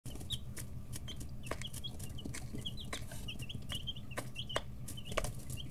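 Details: Several chicks 11–13 days old in a brooder, growing wing and tail feathers, give short high peeps in quick, irregular succession over a steady low hum, with occasional clicks and taps from pecking.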